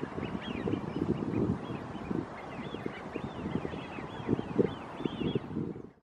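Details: A flock of Eurasian wigeon on the big lake at Delftse Hout, Netherlands, gives overlapping high, rising-and-falling whistles, several each second, over a steady low rumble of wind or distant murmuring. Recorded on 13 February 2017.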